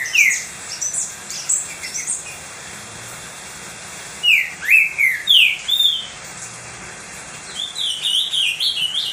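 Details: Pet green-winged saltator singing a lot, kept to warm up and stimulate other saltators: loud whistled phrases of slurred, down-and-up notes, a burst near the start and a run of five or six notes midway, with a steady faint tone behind.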